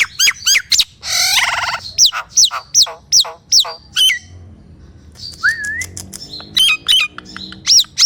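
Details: Nias hill myna song used to coax quiet mynas into singing: sharp whistled notes in rapid series, a buzzy rattling burst, a pause, then a rising whistle and further piercing notes.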